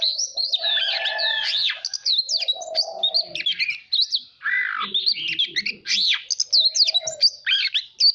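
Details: Oriental magpie-robin urged to sing competitively, giving an extended song of quick varied phrases: whistles, buzzy trills and sweeping notes broken by short gaps, with a low background murmur.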